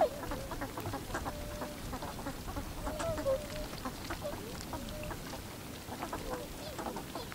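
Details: Northern pintails recorded 7 February 2015: the male's high-pitched whistled notes and the female's low quacks overlap amid a steady murmur of many birds, apparently while foraging on the water surface and on gravel.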